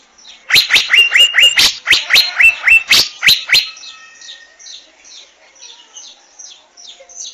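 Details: Asian fairy-bluebird singing: a rapid series of sharp notes, many with a rising upward-hooked whistle, delivered about four per second, then fading into softer, distant repeated chirps.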